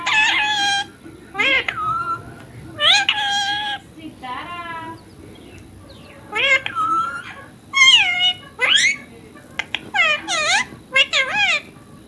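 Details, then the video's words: Talking ringneck parrot saying "mummy papa": bursts of harsh, speech-like syllables with bright, squeaky overtones, separated by short quiet gaps, indoors. "Ringneck parrot #tallking mummy papa"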